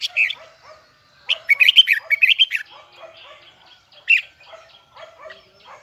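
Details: Red-whiskered bulbul, Huế type, with a high double twisting song. Clustered bright, rapid whistled notes come in two loud bursts, while softer repeated chirps from other birds continue underneath.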